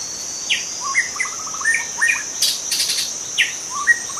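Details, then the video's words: A young wild White-rumped shama sings in forest: downslurred whistles, then a fast even string of short notes and sharp upward slurs, repeated, with a persistent high insect whine and a burst of noise midway. "Kicau murai muda hutan"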